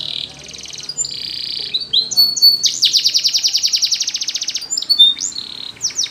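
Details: Canary singing a training song: a high rolling trill, bright whistled upslurs, then a long rapid pulsed roll and a few sharp falling sweeps near the end.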